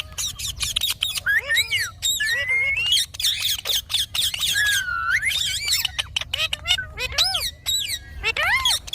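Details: Ringneck parrot talking: dense run of squeaky, warbling harmonic chatter with rising and falling whistled notes and sharp clicks, nearly continuous across the clip.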